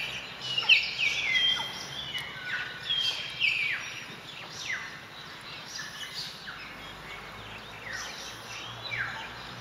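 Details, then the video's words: Jungle Babblers (Turdoides s. striata) at Manas, Assam, India, 24 February 2017: harsh, scratchy chattering calls, several overlapping in quick bursts, with a few thin high squeaks over steady background hiss. "Cratérope de brousse (Turdoides s. striata, Jungle Babbler)"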